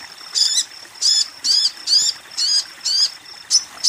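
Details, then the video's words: Female Ruby-cheeked Sunbird calls to a male with drawn-out, harsh, buzzy high notes, each slightly falling, repeated about every half second. Two short, clipped chirps close the sequence. "Sogon BETINA Memanggil Sogon JANTAN"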